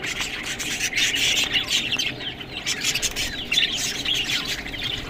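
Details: Feeding budgerigars eating green food produce a continuous high, scratchy warble with short squawks and chirps, and faint clicks and rustling behind.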